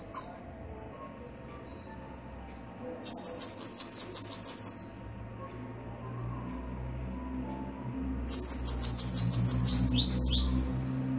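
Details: Male and female Bananaquit singing: two bursts of high, rapid, wheezy ticking notes about five seconds apart, the second ending in quick upslurred squeaks, with faint low rumble between.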